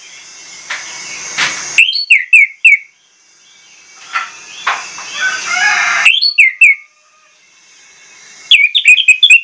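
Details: Orange-headed thrush giving a forceful pancingan lure song, pouring out its repertoire. Short clusters of bright, sharply slurred whistles come in three bursts, separated by stretches of quieter background hiss.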